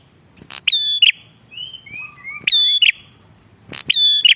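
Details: Bar-winged prinia, used for luring wild birds and as a tutor for caged birds: loud harmonic notes with sharp clicks recurring about every 1.5 seconds, between them softer high whistled slurs and a level lower tone.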